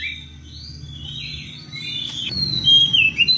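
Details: Oriental magpie-robin calling to a rival with drawn-out whistles that slide up and down, ending in sharp, rising notes. A low hum runs underneath.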